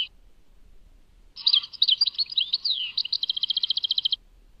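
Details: A European goldfinch gives one Tadmait song phrase after a silence. Varied liquid twitters and slurs end in an even, rapid trill of about fifteen ringing notes, then quiet.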